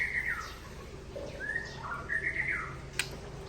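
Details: White-rumped shama of the Aceh Tangse type singing against a rival, giving clear whistled notes that slur down and then up, in a short varied phrase with a faint click near the end.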